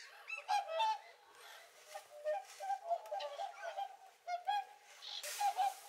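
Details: Several Whooper swans feeding on a winter lake in Kuusamo, Finland, give repeated bugling, honking calls, some overlapping, at irregular intervals about every second or two.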